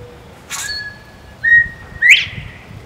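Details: Northern bobwhite, a male at a feeder in southwest Florida, calls with a soft opening note, a steady clear whistle, then a loud rising slurred whistle sweeping sharply upward.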